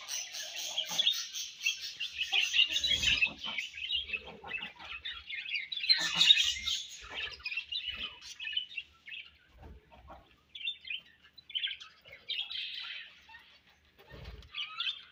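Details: Budgies during feeding and food exchange: bursts of high, scratchy warbled chirps with short quiet gaps, a louder peak of chatter around the middle, then scattered brief twitters toward the end.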